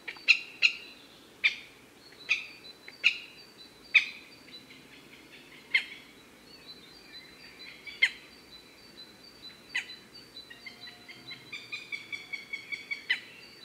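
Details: A male Northern goshawk calls to a female: sharp, high, piercing single notes at irregular intervals, ending in a quicker run of about eight notes; faint songbirds sound behind.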